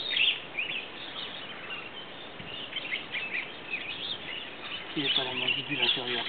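Bronze mannikins give quick, thin chirps and twitters, several birds overlapping in an irregular chatter. A man starts speaking near the end.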